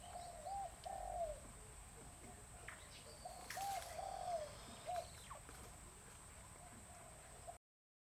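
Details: At a breeding center in Chiang Mai, Thailand, captive bronze-tailed peacock-pheasants utter short arched hooting notes in small clusters, one group early and another near four seconds, amid constant high-pitched background hiss and faint distant chirps.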